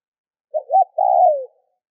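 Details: A single spotted dove phrase used to get other doves calling: two short mellow coos, then a longer smooth coo that dips down at its close. Nothing else audible.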